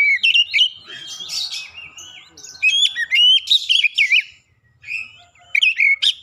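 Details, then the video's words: Oriental magpie-robin singing as a lure bird to prompt silent magpie-robins to sing: clear, varied whistled phrases with sharp rising and falling notes, quick chirps and trills, broken by short pauses. "kicauan jernih Kacer pemikat | KACER macet bunyi langsung ikutan gacor"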